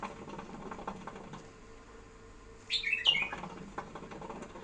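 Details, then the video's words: Pet bulbul, tame, quiet at first, then a single brief burst of rich, warbling whistled notes near the end against faint indoor background hum. "احلا صوت بلبل اليف"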